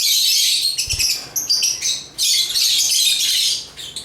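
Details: African lovebirds (Agapornis) in chirping song: dense, scratchy high twittering that runs almost without pause, broken by a brief lull near the middle and one low thump.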